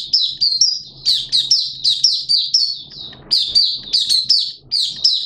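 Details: High sweet twitter of a Malaysian Oriental white-eye in 'buka' opening song, Sunday 21 June 2023: clusters of quick descending chirps with a brief pause midway, faint low hum beneath.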